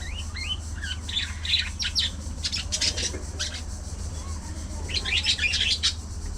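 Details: Budgerigars in a social colony with rising whistled chirps, then sharp chatter bursts in the middle and again near the end, over a low hum.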